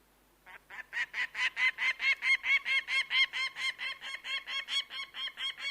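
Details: Bird of prey launching into a sustained run of strident, evenly timed notes, roughly four per second, loud throughout with faint background hiss.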